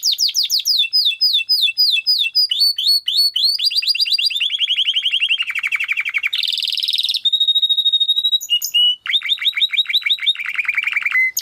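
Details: Timbrado canary in a training song, rapid repeated downswept trills shifting into lower rolling tours, a buzzy burst, a pure held whistle, then further falling trills.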